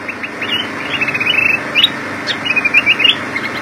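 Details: Kutilang emas, the black-crested bulbul, singing energetically: quick runs of high chirped notes in brief bursts with short gaps, over a constant hum of passing vehicles.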